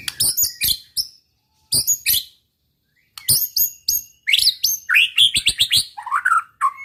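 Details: Energetic white-rumped shama song meant to stir up rival males: rapid trains of hard clicks and chattering notes, a pause, then varied loud whistled phrases sliding down in pitch.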